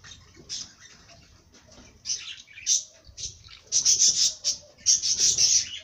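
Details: Bird song: bright high chirps and short twittering bursts, sparse in the first two seconds, then denser clusters of sharp notes near the end.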